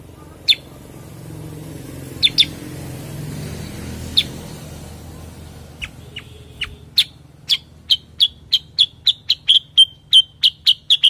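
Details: Bulbul known as cucak kurincang, kutilang sutra or kuniran, starting with scattered sharp chips that build into a fast, even run of bright notes, around three per second.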